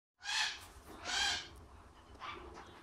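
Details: Young unrelated pair of white-bellied caiques, the male about 12 months old: two loud, harsh, raspy screeches about a second apart, then a fainter third, shrill parrot calls.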